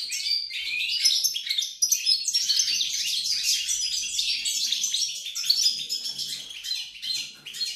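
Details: European goldfinch song recorded 28 November 2020, a pied goldfinch named in the text: a steady stream of rapid, tinkling high twitters and short buzzy trills, phrases tumbling into one another without pause across the whole stretch.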